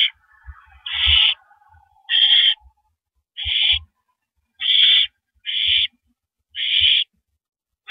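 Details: Male barn owl delivering a rodent at the nest, April 9, 2012, 8:45 PM. Seven rasping screech-hisses come at roughly one-second intervals, with a faint thin whine early on and soft thuds.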